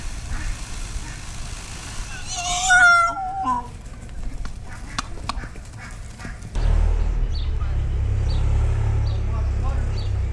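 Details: A peacock at Korkeasaari, calling as summer begins in 2018 after leaving its winter enclosure, where cocks displayed to females, gives one loud, nasal, wailing cry lasting about a second, over low wind or traffic rumble with faint voices.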